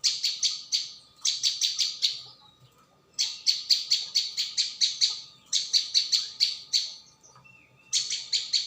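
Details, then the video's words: Prinia known as ciang or prenjak bawah, in a dense lure recording: long rapid runs of sharp, high chirps, up to ten notes per run, broken only by short silences. "Mp3 pikat burung ciang"/ prenjak bawah"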